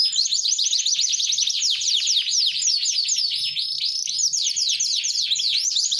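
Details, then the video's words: Canary singing vigorously: a continuous, fast stream of high, sweeping trills and rolling notes, loud and unbroken for the whole stretch, with no other sounds. "Kenari sf nb19 gacor dor"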